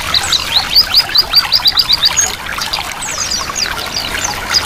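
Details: Therapy mix of white-eye ngiriwik song and running water meant to get birds singing; a burst of evenly repeated high chips, then looser twittering and slurred whistles above steady water.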